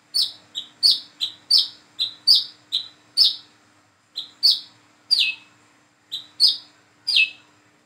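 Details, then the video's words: Single plain-throated sunbird, known as wiceh or kolibri manggar, learning its song: rapid run of high sharp chirps, several per second, then spaced downward-slurred notes; low steady hum underneath. "PANCINGAN SUARA BURUNG WICEH KOLIBRI KELAPA BIAR BISA WICEH WICEH"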